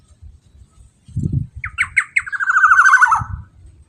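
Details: Black-naped oriole singing as a lure for other orioles: after a brief low thump, three sharp notes run into a loud, rapid, rasping series that slides downward, with soft low noise around it.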